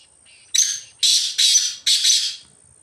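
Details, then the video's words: Wild black francolin wandering freely in the jungle: a soft short lead-in note, then four harsh, raspy, broadband phrases delivered in a rapid run over about two seconds, with a quiet background. "Kala Teetar Ki Awaz Black Francolin Voice"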